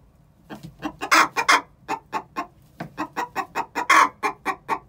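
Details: Two six-month-old chickens giving the egg song before laying: a steady run of short clucks, about four per second, broken by two loud, drawn-out squawking notes.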